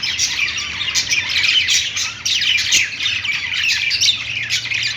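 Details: Pet-store budgerigars singing on a perch make overlapping twittering and scratchy squawks in a steady stream, with a faint low hum in the room.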